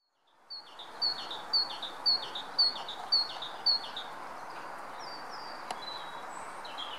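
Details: Male great tit singing in early spring sunshine on 25 February 2014, proclaiming his existence: six bright two-note phrases repeated about every half second, then a pause. Steady low background rumble throughout.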